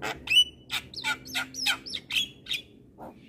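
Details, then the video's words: Javan myna (jalak kebo) in lively 'gacor' song for a tutor recording: a fast stream of harsh squawky notes and slurred whistles, about three per second, ending with a soft low note. "Masteran Jalak Kebo Ini |Masteran Jalak gacor"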